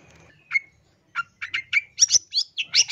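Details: Long-tailed shrike training song packed with varied fill-in phrases: a few spaced chirps at first, then a quickening series of sharp, high, varied notes.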